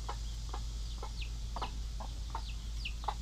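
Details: Mother hens in the pen caring for their baby chicks: soft clucks about twice a second, mixed with high, downward-slurred chick peeps, over constant low humming.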